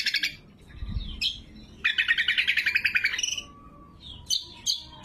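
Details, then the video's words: Greater green leafbird lure and training song, loud and clear: scattered sharp notes, a long rapid rattling trill, then isolated high whistled chips, with a soft low thump early on. "Suara Burung Cucak Kombo Gacor | Masteran & Pikat Cucak Kombo"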